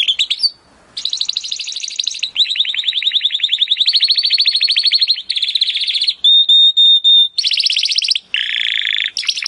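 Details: Timbrado canary singing as training audio: long fast rolling trills lasting several seconds, a few clear sustained whistles, then short buzzy bursts.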